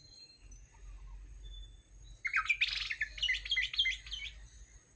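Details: Orange-headed thrush song played as a lure for caged birds: after a quiet start, a dense burst of rapid chirps and twittering notes, fast and irregular, over a low background hum.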